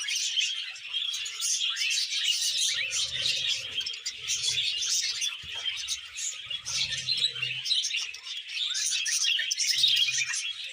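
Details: Courting male budgie beside a young female keeps up an unbroken, busy chatter of high twittering chirps and grating squeaks, with occasional faint low hums in the background.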